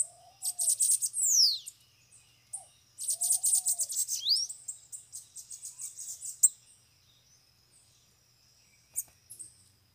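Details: Free bananaquits arriving at a cage give two loud bursts of high, sizzling trills with swooping notes, then scattered thin chips, a few lower whistled arcs heard early on.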